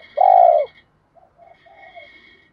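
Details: One long, loud, mellow coo from a decoy spotted dove meant to excite wild doves, followed by soft low murmurs and a faint steady high tone.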